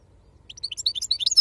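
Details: Brief phrase from a wild-stock European goldfinch in the Serfati song style: soft, quick twittering notes growing louder and denser, ending in a bright high squeak.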